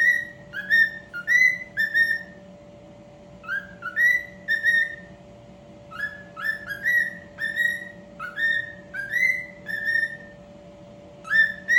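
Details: Cockatiel singing a whistled song of clear, slurred notes, many rising then levelling, grouped in short phrases of two or three whistles, repeating throughout, over a steady low electrical hum.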